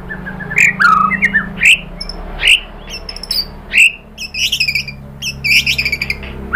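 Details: White-rumped shama song used to provoke other birds to sing, mixing harsh squawky notes with brief whistles and buzzy chattering bursts.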